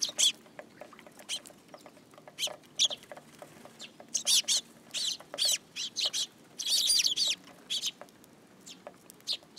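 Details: Sparrows landing on a person's hand at a Tenmangu shrine on 8 July 2022; irregular high chirps scattered throughout, several loud clustered chatters near the middle and a dense burst of chirping toward the end.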